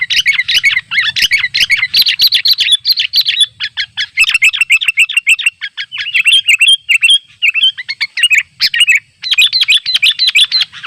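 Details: Chattering, energetic calls of a wild sooty-headed bulbul challenging rivals near a simple trap: a long, nearly continuous stream of bubbly, warbled chirps with short breaks, loud and close.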